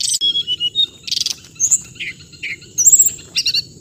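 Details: Hong hanh bird singing short whistles, a dense buzzy burst, then separated chirps and a high ringing note, against a steady shrill background tone.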